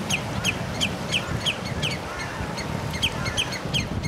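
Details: Common redshank, recorded 24 June 2011 around 11:13, giving loud, high, piping notes about three per second in two runs, with a low rumble of wind underneath.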